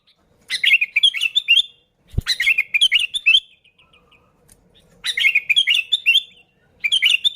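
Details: Lure recording of a sooty-headed bulbul singing: rapid bubbly chirping phrases lasting about a second each, spaced by pauses, with one brief low thump.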